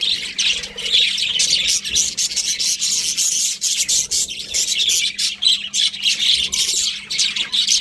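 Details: Budgerigars keep up a rasping, high chatter of rapid chirps and scratchy warbles, steady and crowded from start to end.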